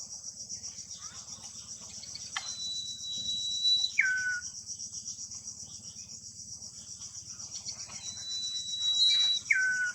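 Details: Common iora in the wild near its nest: a long, steady high whistle slides abruptly down to a shorter lower note, then repeats later, over a constant shrill insect chorus.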